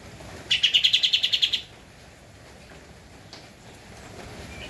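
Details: Energetic singing by a Javan white-eye (kapas tembak) on a master recording for training cage birds: a single brisk trill of about eleven even, high pulsed notes lasting a second, followed by near silence.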